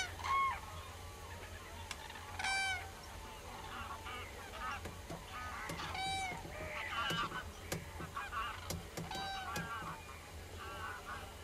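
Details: Common cranes giving loud, ringing trumpeting calls with stacked harmonics, a strong call at the start and others answering irregularly, roughly every two seconds, over a constant low hum and occasional clicks.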